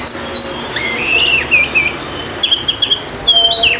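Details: Oriental magpie-robin lure song for coaxing lazy birds to sing: clear high whistles, a few bending slurs, then a quick series of short sharp notes and a final drawn-out whistle.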